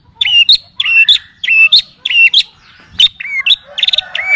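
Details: Long-tailed shrike song with imitations of other birds, used for training: clear level whistles followed by sharp rising notes, repeated about every half second, then a faster chattering run.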